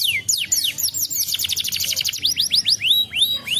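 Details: Song of a canary meant to make other canaries reply: quick falling whistles, a rapid rattling trill of high notes, then a run of separate arched whistled sweeps.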